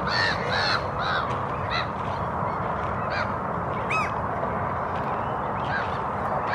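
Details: A Lesser Black-backed Gull pair scavenging on a lawn in Helsinki, Finland in April 2022 calls softly, with short and drawn-out nasal notes every second or so, over a steady roar; Common and Black-headed Gulls are audible behind.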